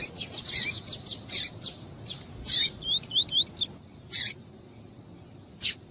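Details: Double-collared seedeater, male with female calling, tuí-tuí style song meant to stimulate singing. A rapid burst of dry chips gives way to four rising whistled slurs, then two isolated sharp chips.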